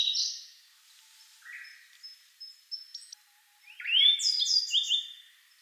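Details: Sub-adult grey bunting at Togakushi's Kagami Pond, singing in turn with a Siberian blue robin; scattered soft notes lead to a loud rising whistle and jumbled high chirps near the end.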